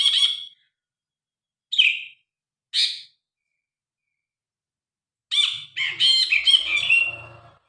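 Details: Grey-cheeked bulbul, recorded on a phone, giving loud, varied song: three short separate bursts of chattering notes, then a longer run of rich, rapid, jumbled notes near the end, with faint low rumbling underneath.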